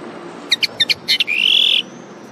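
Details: Common linnet song: six quick clipped high notes in a row, then a long steady buzzy trill held for about half a second before stopping, over faint background hiss.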